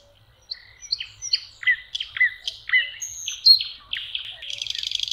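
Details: Common nightingale singing beside a lake in May: a sequence of varied downslurred whistles and chirps repeated roughly every third of a second, then a high thin whistle and a closing rapid rattling trill.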